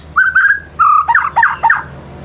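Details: A well-conditioned white-rumped shama gives a lure song to provoke a rival's repertoire. Two level whistled notes are followed by a quick run of looping, slurred whistles over a quiet background.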